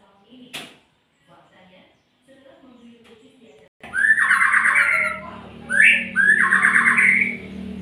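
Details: After a few seconds of quiet talking and small noises, a murai magpie-robin bursts in with two rising, buzzy trilled phrases over a steady low hum.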